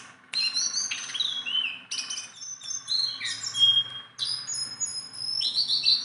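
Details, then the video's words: Tame, hand-trained caged Sunda bulbul singing persistently: bursts of bright chattering notes mixed with short whistled phrases, including one clear level whistle, with brief pauses between phrases. "BURUNG JONGKANGAN GACOR TELER JINAK PETETAN"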